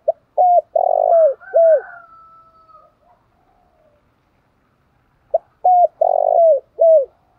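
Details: Song of a spotted dove, 'thổ pha đồng' voice style. Two complete phrases of mellow coos, each short, short, long rolling and falling, then a last dipping note, with a long quiet gap between. A faint whistle-like tone trails after the first phrase.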